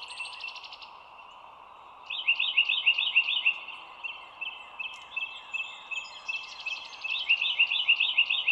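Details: Morning bald eagle calls, 25 March 2022 at 07:16, from a nest camera looking down by the Dulles Greenway: quick series of shrill, piping notes after a quiet start, repeated in bursts, with a continuous chorus humming underneath.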